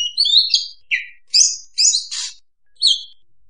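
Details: Oriental magpie-robin lure song: a varied run of high, clear whistles and buzzy, scratchy notes in quick separate phrases, with nothing else heard.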